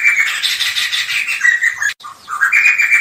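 Black-throated laughingthrush in loud, rich, continuous song: tumbling varied whistles and chattering phrases, a brief pause, then rising whistled notes.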